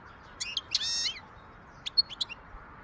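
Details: Wild European goldfinch singing in 2023: bright high chips broken by a brief buzzy, rattling phrase, followed after a gap by a few more separate high tweets against soft background noise.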